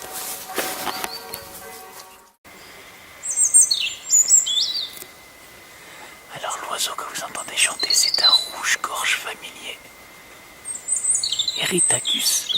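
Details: European Robin singing in Parc Rivière, Bordeaux, a park set up as an LPO bird refuge with nest boxes. High, thin, tinkling warbled phrases come in two short bursts, with a man talking in French between them and faint background noise.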